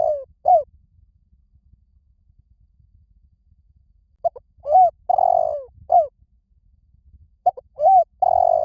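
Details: Spotted dove cooing as a lure to draw other doves close: a coo phrase ends at the start, then after a pause two full phrases of clipped notes, a long rolling coo and a closing short coo, with silence between.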